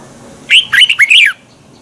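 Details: A single quick phrase of red-whiskered bulbul morning contest song, 'twisted voice' style, used to excite other bulbuls: four clear, curling whistled notes run together in under a second.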